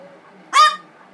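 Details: Blue-fronted amazon parrot having a tantrum after being sprayed with water and rose water: one loud, harsh, nasal scream lasting about a quarter second in a quiet room.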